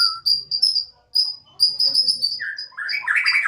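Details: Caged Borneo white-rumped shama kept at home, singing with spirit: a string of short, thin, very high whistled notes in uneven bursts, then lower rich warbled phrases rising toward the end.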